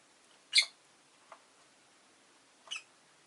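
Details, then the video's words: Rosy-faced lovebird kept as a pet, giving a sharp, harsh high chirp, then a softer chirp about two seconds later, with quiet room background between calls. "Lovebird Chirping Sounds"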